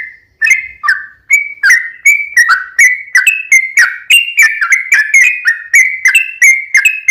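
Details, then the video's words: Sooty-headed bulbul singing, played as a lure to draw other bulbuls into song: steady run of short, clear whistled notes, each sliding up or down, about three per second, no other sounds. "trucukan gacor ROPEL PANJANG buat pancingan trucukan agar bunyi"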